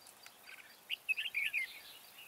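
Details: Red-whiskered bulbul singing as a decoy to lure birds to a trap: a rapid, chattering string of bright slurred whistles rising and dropping, lasting about a second.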